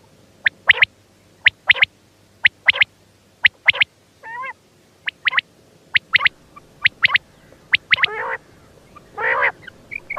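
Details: Quail repeating bright three-note pip phrases about once a second, with a short warbled note in the middle and a couple of harsh, nasal buzzy notes near the end.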